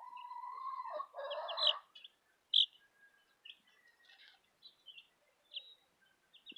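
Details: Southern Rambler chicks and a Golden Comet chick peeping: thin, high chirps scattered through the clip, some louder than others, after a lower drawn-out tonal sound in the first two seconds.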